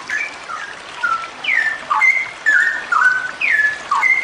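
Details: Straw-headed bulbul female, locally cucak rowo, in continuous long rolling song played as singing therapy for birds: liquid whistled notes sliding up and down, repeated quickly over soft rain-like background noise.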